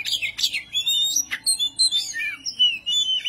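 An oriental magpie-robin pours out a fast, varied run of high, sweeping whistles and sharp chirps with hardly a pause, in a keyed-up, rival-provoking display.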